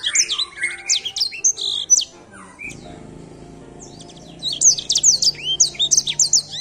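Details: Edelsänger singing in a luxury bird competition: a quick burst of sliding whistles and trills, then a pause of about two seconds filled by low background noise, then the whistled, looping phrases resume.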